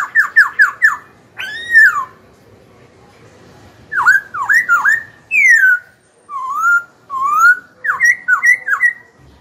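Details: Black-throated laughingthrush, a young cage bird, singing to stir rivals and tutor young birds: rapid runs of dipping notes, a swelling rising-falling whistle, a bright descending whistle, two rising whistles, and a closing flurry.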